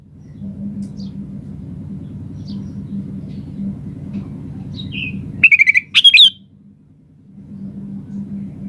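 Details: Chatty song of a sooty-headed bulbul, played to provoke other birds to reply: after a stretch of low rumbling hum and faint chirps, a quick rattle of short notes and then a loud warbled whistle.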